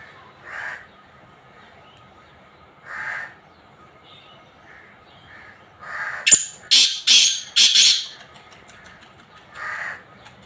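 A black francolin gives a rapid burst of harsh, grating, rasping notes, between softer nasal single notes spaced a few seconds apart.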